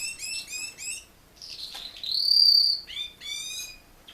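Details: Singing male Raza Española canary, a breed not bred for song, gives quick bursts of repeated chirpy notes, then a swelling buzzy whistle that peaks loudly before more rapid rolling notes.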